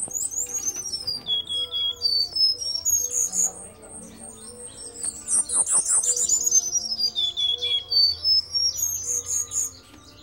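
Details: Caged Cuban bullfinch singing while perched on a hand inside its cage: thin, high whistled phrases sliding steeply downward, repeated in quick bursts with short pauses; faint voices and room noise underneath.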